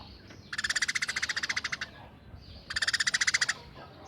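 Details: Eurasian tree sparrow, a tame bird, in coarse 'tembakan' chatter: two bursts of about fifteen fast, rasping notes, a short pause between them, over a quiet background.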